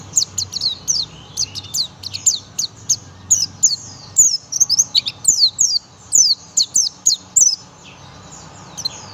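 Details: A young oriental white-eye, buxtomi type, fires off its 'tembakan' song: fast runs of shrill, high, downward-slurred notes in steady volleys, trailing off near the end, with a quiet background.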